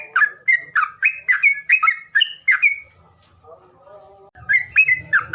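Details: Calling sound meant to get reluctant birds singing: a rapid run of about ten bright, down-slurred chirps, a softer murmuring pause, then another quick burst of chirps over a low rumble.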